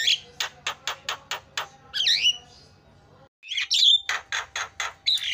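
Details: Javan myna training song with filler phrases, meant to set other mynas calling: a run of six sharp evenly spaced clicky notes, then a twisting squeaky whistle, a short pause, then a rising squeal and more clipped notes.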